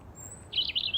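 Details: A tame European robin in a local woodland meadow near ponds, on a spring afternoon while frogs are spawning, gives a brief, high, thin warbling phrase of about half a second after a quiet start, with a faint steady high whine early on.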